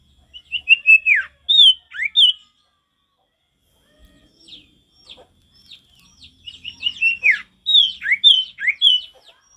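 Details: Actively singing male Javan tesia, wild forest-style song: a burst of high whistled slurs, a quiet stretch with faint notes, then a long run of crisp, rapid, swooping whistles.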